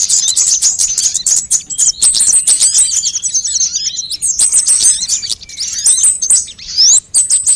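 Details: Sunbird calls mixed for luring and training birds to sing: sharp, very high chips and buzzy twitters in loud bursts, with rising whistled sweeps and a few brief silences late on.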